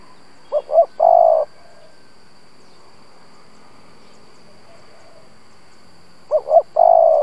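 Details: Spotted dove used as a lure to provoke other doves: two separate cooing phrases, each two quick rising hoots and then one long steady coo, divided by several seconds of quiet.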